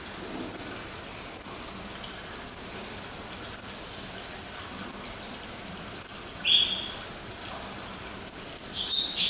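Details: A captive Madagascar partridge at a zoo gives short, high, thin whistled notes about once a second, with a faster burst of notes near the end and soft background hiss.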